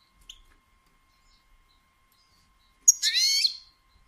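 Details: Female European goldfinch batbata call, intended to trigger male singing and mating. Near silence with one faint chirp is broken by a single loud, grating, buzzy burst lasting under a second, with layered rising tones.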